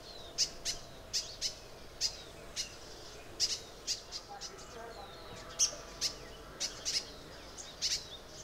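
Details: Crimson sunbird (Aethopyga siparaja) in Arunachal Pradesh gives sharp, high, dry chip notes, about two per second at an uneven pace, over a faint low background hum.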